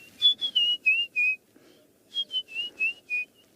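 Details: White-browed scrub robin heard at sunrise on a cool morning beside a small flock of guineafowl: clear whistled phrases of five slurred, slightly descending notes, repeated after a short pause, with a soft low background.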